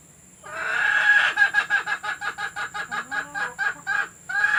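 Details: Hen sounds meant to lure laying hens to the nest; a rising squawk leads into a fast, regular series of about fifteen clucks, ending with a fresh squawk.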